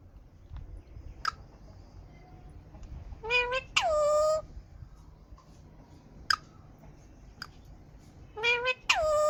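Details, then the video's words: Green ringneck parakeet, described as talking; two bursts of harsh, harmonic squawks, each a short rising note followed by a longer note sliding downward, with scattered clicks and quiet indoor background between. "Smart Green Ringneck Talking"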